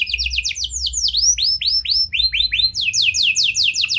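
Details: Canary in full vigorous song with prenjak and lovebird-style phrasing, used as a lure to coax silent canaries into singing: high, fast tours of arched and downward-sweeping whistled notes, each phrase type repeated rapidly before switching.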